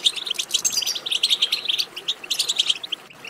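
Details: Dense goldfinch twitter for prompting a goldfinch to sing: crowded, fast, bright chirps run almost continuously, then thin into shorter bursts near the end.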